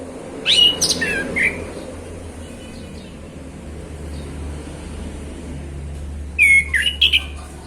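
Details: Male orange-headed thrush singing casually in the afternoon, likely caged: a brief burst of sweet whistled notes mixed with sharp high clicks, a long lull with steady low hum, then a second similar phrase.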